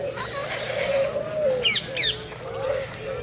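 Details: Scarlet macaw in natural surroundings giving a drawn-out, wavering, nasal whine with layered overtones, broken midway by two quick bursts of sharp, sweeping squeaks, then the moaning tone returning against a steady low background hum.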